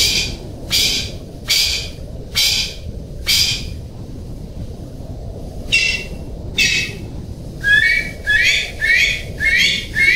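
Golden pheasant giving harsh, raspy bursts about once a second, then a quicker run of six or seven rasping notes, over a steady low rumble.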